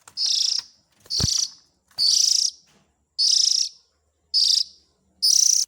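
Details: Oriental magpie-robin chick sounds used to lure the parent birds: six loud, hissing, high-pitched rasps, each under half a second, evenly spaced about once per second, with one low knock near the start.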